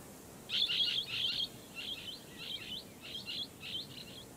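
A Blue-headed Parrot gives about a dozen harsh, high screechy notes in quick bursts of two or three, over faint background hiss.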